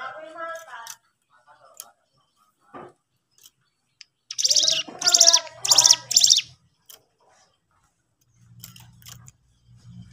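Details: Lively sooty-headed bulbul song played to provoke other birds into reacting: brief harmonic chirps, scattered soft ticks, then four loud, rough, rapidly spaced bursts, ending with a faint low hum.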